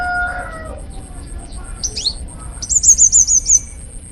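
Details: Sunbird (kolibri ninja) at Bakalan: a few high downslurred chirps, then a quick, loud run of about six very high, sharp notes, following a fading rooster crow at the start.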